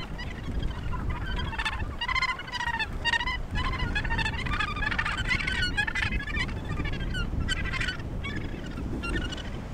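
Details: Many Australasian gannets at the Point Danger breeding colony near Portland, Victoria, Australia, give rough, rasping calls that overlap almost continuously, forming a dense chorus over constant low rumbling noise.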